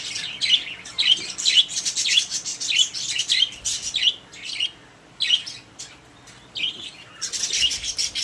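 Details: Cage of happy budgies chirping steadily, roughly a hundred short high notes a minute in an irregular stream, pausing briefly near five seconds and again near six and a half.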